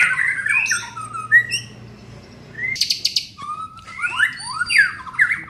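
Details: Young white-rumped shama undergoing mental training, singing a varied phrase of whistled notes and sweeping slurs, with a sharp buzzy burst near the middle before bright rising and falling whistles resume.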